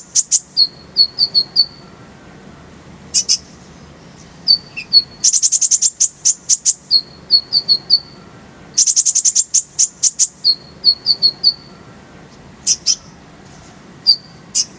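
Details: Tutor song of the konin (Oriental white-eye), mixed with kolibri ninja, meant to train songbirds to sing: short groups of thin high twitters alternate with pauses and two loud bursts of rapid, sharp, very high repeated notes.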